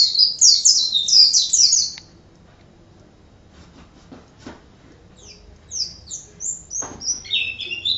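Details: Pleci, the Oriental white-eye, in chattering 'gacor' song: a burst of high sweeping chirps, a pause of about three seconds with faint clicks, then sparser thin high notes resuming.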